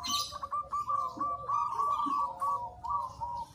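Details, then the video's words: Local zebra dove singing, kept as a training master for other birds: a fairly quiet run of short mid-pitched cooing notes, rapid and uneven, some grouped into quick rolled phrases, over a soft background hiss. "Perkutut Lokal Gacor"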